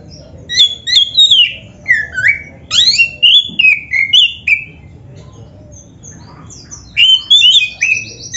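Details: Black-breasted Oriental magpie-robin singing energetically as a training lure for caged birds: varied loud whistles, swooping slurs and sharp chirps in rapid bursts, with a quieter pause midway before the phrases resume, over a soft low background hum.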